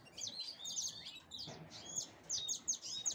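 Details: A black-headed canary (Serinus alario alario) preparing for breeding sings a quick, high twittering song of bright chirps and trills, several notes each second, with faint background hiss.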